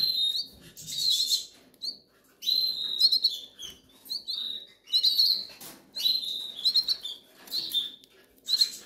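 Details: Goldfinch chicks begging from hunger, Canary Islands: insistent high, wheezy chirping in short bursts roughly every second, separated by brief pauses, over a faint low murmur.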